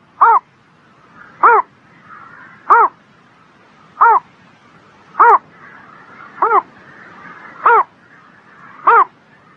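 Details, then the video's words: Bird singing on a spring morning: eight short, hoarse, arched notes, each falling after a brief rise, repeated steadily about every 1.2 seconds, with faint soft chattering from other birds between them. "Singing Bird in the Spring Morning"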